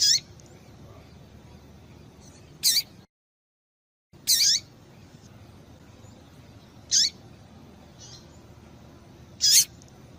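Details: Female double-collared seedeater call used to excite males and get them singing: short sharp high notes sweeping downward, given singly about every two to three seconds, with a brief silent gap.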